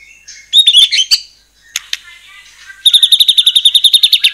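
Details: White-rumped shama singing to provoke other shamas: a burst of mixed whistles, a quieter lull, then a fast, very regular trill of repeated high notes, about four per second.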